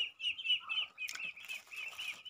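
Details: Pet crested myna being tamed, uttering a run of slurred, high chirping notes with a short scraping burst in the middle.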